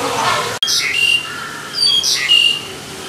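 Black-collared starling giving two harsh, grating squawks about a second apart, each laced with short thin whistles; a sharp click comes before the first.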